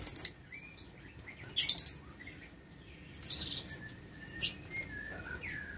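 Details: Lovebirds in a breeding aviary cage, recorded 6 November 2022: shrill, high chirps in short clustered bursts, a loud volley at the start and another near two seconds, then scattered softer squeaks and thin whistled notes.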